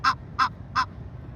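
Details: At night by a city-park lake in Houston, Texas, a female Egyptian goose gives three loud, harsh, nasal honks in quick even succession, with a nearby male moving off; faint low background hum.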